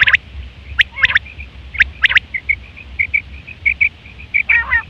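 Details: Quail calling in September 2023, a sound used for hunting and mating: sharp high notes repeated about once a second, mixed with short clipped chirps and a brief harmonic burst near the end, over low background rumble.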